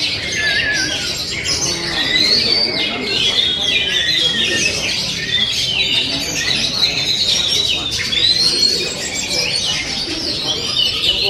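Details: Oriental magpie-robin (kacer) song: dense run of loud, high whistled and warbled phrases with sharp slurs and trills, continuous over several seconds, with other overlapping whistles in the background.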